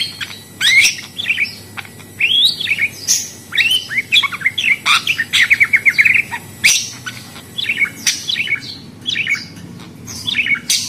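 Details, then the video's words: Budgerigar calling in a lively chatter of high warbling chirps, rapid rising and falling notes in bursts separated by short pauses, with a soft steady low hum underneath. "Suara Burung Parkit Australi"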